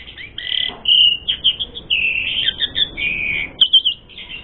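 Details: Asian pied starling, song meant to lure and provoke fighting: a continuous run of whistled and harsh chattering phrases, long sliding notes mixed with short clipped ones.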